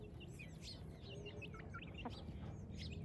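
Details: Morning in a village: young chicks chirping with thin, looping high whistles, some rising then falling, scattered across the clip above a steady low drone.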